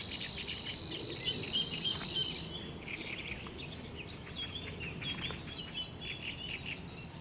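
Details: Unidentified wild bird recorded on 24 May 2021, giving short chirping and upswept notes in irregular bursts over a steady insect-like buzz and a low background rumble.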